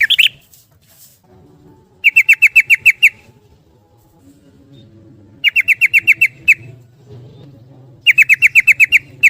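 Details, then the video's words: Rapid ropel song of a yellow-vented bulbul: three tight bursts of six to eight evenly spaced, ringing notes, each burst lasting about a second with quiet gaps between, low background hum. "Trucukan Gacor bikin Gelisah Geram Semua Trucuk jadi Ropel Gacor"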